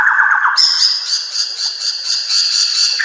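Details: White-rumped shama (murai batu) training song: a brief low whistled phrase, then a long high buzzy trill pulsing about four times per second, steady and rattling, lasting several seconds.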